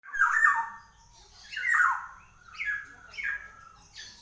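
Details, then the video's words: Black-naped oriole, called kepodang, singing vigorously: four harsh, nasal, downslurred squawks, each about half a second long and spaced roughly a second apart, with quiet gaps between. "Burung KEPODANG GACOR"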